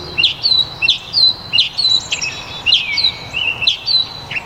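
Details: A Northern Mockingbird sings a fast run of varied, high chirps and slurred whistles, about three notes a second. Each phrase shifts in pitch and shape, in a constantly changing song.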